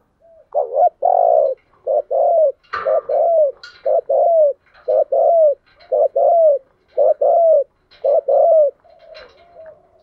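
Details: Decoy spotted dove cooing to stir up and draw in wild doves to fight; steady low, mellow coos in short paired bursts, about a dozen phrases over ten seconds, with brief faint rustling noise near the middle.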